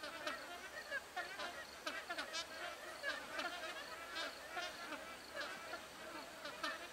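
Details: Magpie geese perched in trees, a flock keeping up a dense, overlapping chorus of nasal, resonant honks with no clear pauses.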